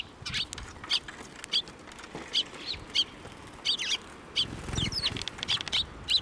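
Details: Sparrows flying in to get food at a Tenmangu shrine, April 19, 2024; steady series of short bright chirps roughly twice a second, several birds overlapping, with a soft low thump midway.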